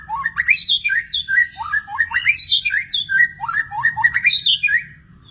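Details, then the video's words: Wild magpie-robin singing a rich, fast run of whistled phrases that slur up and down, with bright chirps and short trills packed closely together, sounding continuously for about five seconds before it ends. "burung murai di alam liar"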